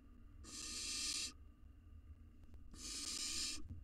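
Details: Two broad, noisy hisses under a second each from a wild barn owl nestling feeding on a mouse inside a nest box, separated by a gap of over a second, low rumble beneath.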